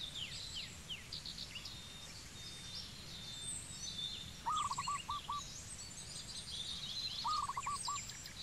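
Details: Zebra dove in Cambodia giving two short bursts of low, rapid staccato cooing notes near the end, each a quick rolling series of five or six beats, over busy high-pitched chirping from other birds.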